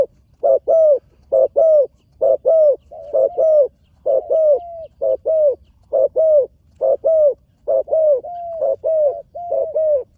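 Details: Young spotted dove in training, on the competition ground for the first time, giving loud, steady coos in short paired phrases. Each phrase starts with a clipped note and ends in a longer, slightly falling coo, repeated about once a second against a quiet background.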